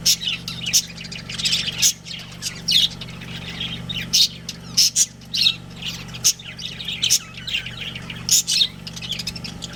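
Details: Breeding pair of pet budgerigars chattering: bursts of high, scratchy chirps and squawks every half second or so, some separated by short pauses, over a steady low mechanical hum.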